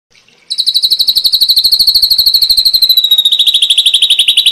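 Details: Ashy drongo song in a long tutor recording for training songbirds: after a brief quiet start, a loud, rapid, buzzy pulsed trill runs steadily for about four seconds and drifts gradually lower in pitch.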